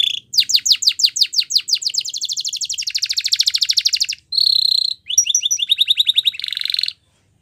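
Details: Spanish Timbrado canary singing for training: sweeping whistles speeding into a continuous rattling trill, a brief pause, a pure steady whistle, then quick repeated chips and a final buzzy roll.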